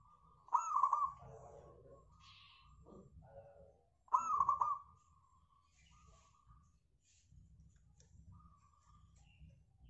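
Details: Zebra dove of a local strain, singing eagerly as lure material for other birds: two strong phrases of rapid, rattled coo notes about three and a half seconds apart, separated by quieter murmuring and steady low hum.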